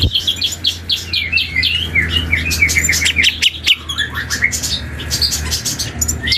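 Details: A young black-and-yellow oriole rehearses its song with clustered whistled chirps and short rising slurs, some repeated in rapid strings, then sparser scratchy notes, over a constant low hum.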